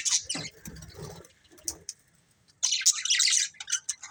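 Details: Budgerigars, a breeding pair, chirping: scattered bright high chirps and squawks early, a low murmur around one second, then a dense burst of rapid twittering near the end.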